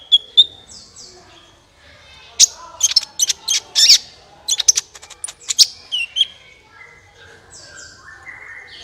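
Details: Sunbird in full song as a prompt for other birds: brief high notes, then a dense run of sharp chips and twittering, closing with falling thin whistles over faint background hiss.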